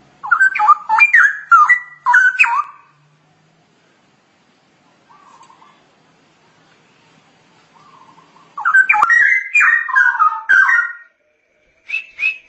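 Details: Straw-headed bulbul (cucak rowo) giving a chattering 'ngoceh' master song for training birds: rapid bubbling, gurgling warbled phrases in two lively bursts, separated by soft low trilling, with a brief high note at the end.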